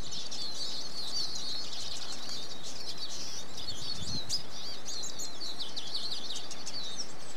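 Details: Eurasian siskin singing a continuous high-pitched twittering warble of quick chirps and trills, with steady background hiss.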